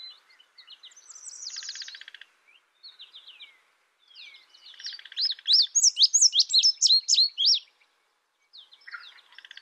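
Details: Buzzy trills and soft chatter open the recording, then an indigo bunting breaks into a quick, loud run of high, sharp, slurred chirps lasting about three seconds.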